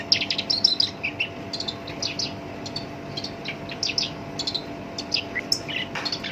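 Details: Sinchan, the Black-browed reed warbler, delivering its coarse song prized as a master for songbirds: a loud opening burst of harsh notes, then scattered scratchy phrases and high chips repeated irregularly.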